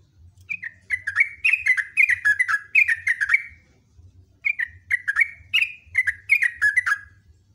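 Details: Long, loud song of a sooty-headed bulbul: two extended streams of rapid, bubbly, slurred notes, rising and falling, split by a pause of about a second, with a faint low hum behind.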